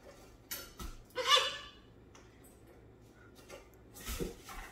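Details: A pet macaw, upset at his favourite toy, gives a loud, harsh, raspy squawk, then a second rougher burst near the end, with a few soft clatters between.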